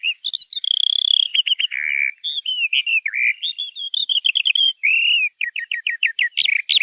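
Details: Small bird in lively song, mixing a long steady whistle, downward slurred notes, chattering runs and a closing series of rapid repeated chirps, all bright and high-pitched in a quiet setting.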